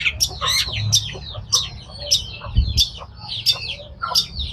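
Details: Long-tailed shrike singing: harsh, scratchy bursts of notes repeated roughly every half second, each a quick chattering cluster, with low thumping background noise.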